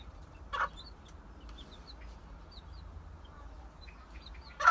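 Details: Mother hen with her young chicks: two short, loud, gruff clucks about four seconds apart, with faint high thin peeping from the chicks scattered between them over a steady low background hum.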